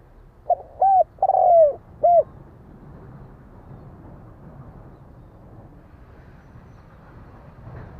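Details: Spotted dove giving a single four-part phrase early on: short note, coo, long descending coo, short coo. Several seconds of low background rumble follow.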